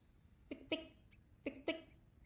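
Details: An Indian thick-knee at dawn on fallow land of tall grass and thorny scrub outside Coimbatore, India, gives sharp, clipped whistled notes in two quick pairs about a second apart, over a faint background hiss.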